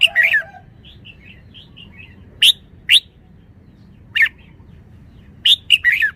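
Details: Red-whiskered bulbul repeating sharp, rich whistled notes singly and in short tumbling runs across six seconds, interspersed with quieter soft twittering notes.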